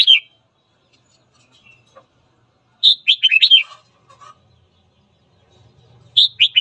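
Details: Morning song of a red-whiskered bulbul, meant to provoke other bulbuls into fighting: short, rapid, liquid phrases of fluty up-and-down notes, one full phrase in the middle framed by partial ones, with faint low murmurs between.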